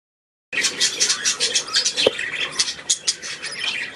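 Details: Newly hatched chick, the fifth of a hatch, recorded indoors on 2 May 2015; rapid high-pitched peeps and chirps repeated in quick succession, with a brief click midway.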